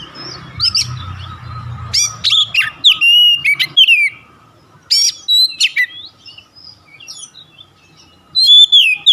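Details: Kacer lure song (Oriental magpie-robin) used to stir other birds: rapid clicks and short whistled flourishes in jumbled bursts, a quiet stretch, then more twittering and a final whistled slur.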